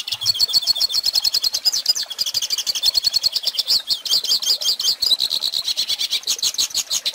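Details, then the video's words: Hooded siskin song used for tutoring young birds. A rapid, continuous stream of sharp chirps, warbles and brief trills stays high in pitch throughout, with barely a breath between phrases. "Pintassilgo Cantando Ensine Filhotes!!!"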